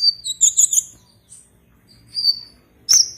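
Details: Konin (Purple-throated sunbird) from Serang, Banten, Indonesia, in an online song contest: a quick cluster of high, thin chirps, then a lone twittering note and a final sharp high chip.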